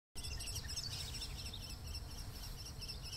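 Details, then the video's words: Lawrence's goldfinch, a rarity in San Mateo County, singing on territory at Lower La Honda Creek: a rapid, jumbled run of high tinkling and scratchy notes over a steady low rumble of wind. "Lawrence's Goldfinch singing on territory"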